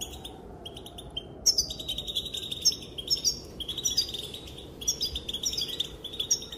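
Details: A female European goldfinch gives calls that reportedly set males dancing; after a quiet first second, dense chattering twitters and sharp high chips pour out almost continuously, with a soft constant background hiss.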